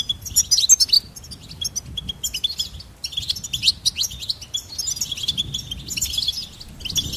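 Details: Goldfinch song: rapid, high twittering of short chirps and buzzy trills, tumbling in bursts with brief pauses, plus a soft low rumble underneath.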